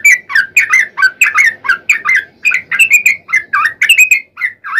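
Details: Sooty-headed bulbul song used as a lure for other bulbuls: continuous bubbly, warbled whistles, quick slurred notes tumbling up and down in a lively chatter.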